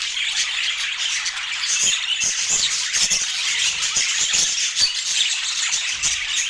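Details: Chirping budgerigars at their food give a lively, busy chatter of short squeaky notes, punctuated by many brief clicks and taps scattered through the second half.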